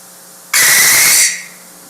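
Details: A captive American barn owl (Tyto furcata) in her aviary gives a single harsh, hissing scream about three-quarters of a second long, over a quiet background, as a wild barn owl flies by very close screaming back.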